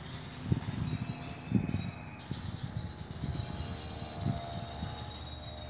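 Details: Hooded siskin from Bauru, São Paulo, Brazil, singing a metallic song style; scattered thin high twitters, then a bright, rapid trill of about ten sharp, evenly repeated metallic notes lasting under two seconds, with soft low background thumps.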